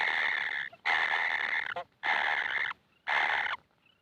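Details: Hungry kingfisher nestlings, said never to be satisfied with food, give four long harsh, hissing rasps, each under a second, roughly once a second. Quiet gaps fall between them.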